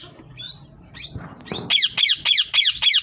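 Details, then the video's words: Green ringneck parrots starting with soft chirps and a squeak, then breaking into a rapid string of five harsh, screeching squawks. "Green ringneck parrots"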